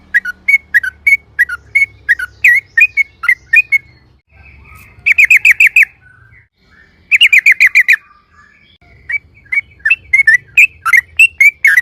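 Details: Yellow-vented bulbul in loud, rapid 'ropel' song used as a lure to provoke other bulbuls to sing: bursts of sharp, slurred chirps separated by short pauses, with a low hum underneath.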